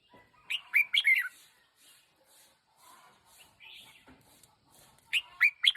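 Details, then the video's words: Decoy red-whiskered bulbul, one year old, delivers quick liquid chirping phrases at the start and end, separated by soft rustling or fluttering sounds in the middle. "Chào mào chim mồi 1 nam"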